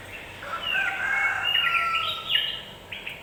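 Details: Lure sound of a yellow-vented bulbul meant to make birds excited fast: one continuous run of liquid, gurgling warbled notes with quick rising and falling slurs, ending in brief clipped notes.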